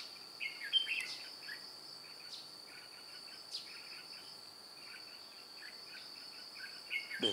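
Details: Decoy red-whiskered bulbul with white cheeks calling to draw in wild birds on 2 July 2018, wings and tail flicking. Rapid, fairly soft chattering notes run almost continuously, with a few louder whistles, over a steady insect drone.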